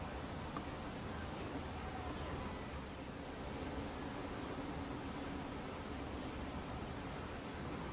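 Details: Even broadband hiss with a faint low hum throughout and no animal calls.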